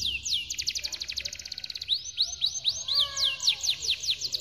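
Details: Canary singing a long-roll song, recorded to train other canaries to sing: rapid buzzy trills of fast repeated notes, then looping upward-sweeping whistles over a lower descending warble, continuous and loud throughout.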